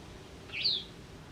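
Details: White wagtail in autumn at a house garden during territorial disputes: a single short, high, slightly descending chirp, otherwise a quiet background.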